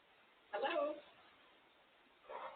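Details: Female grey parrot (Psittacus erithacus) talking while sitting in her cage in a quiet room: one half-second, word-like phrase, a pause, then a shorter syllable, in a throaty, speech-like voice.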